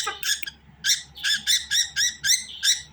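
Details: Budgerigar giving a quick series of harsh, buzzy chirps, about three or four per second, each note similar and evenly spaced, against a faint low hum.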